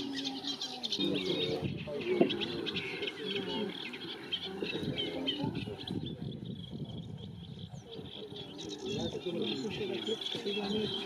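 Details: Eurasian reed warbler singing at Lake Neusiedl, Neusiedler See–Seewinkel National Park, 20 April 2018: a steady, chattering run of scratchy, repeated notes without pause, over a low murmur of cooing and other background sound.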